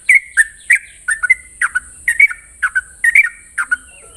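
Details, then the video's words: Sooty-headed bulbul in rapid 'ropel' morning song: clear whistled notes, many sliding downward, delivered in quick pairs and triplets across four seconds, with a steady thin high hiss throughout. "Ropelan trucukan gacor terbaik penuh emosi pagi hari"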